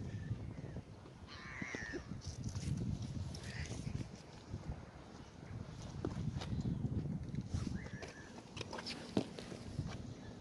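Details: Gulls feeding on bread on the Oder River at Frankfurt (Oder), Germany. A few short, harsh, harmonic calls come at about 1.5, 3.7 and 8 seconds over heavy low wind and water rumble.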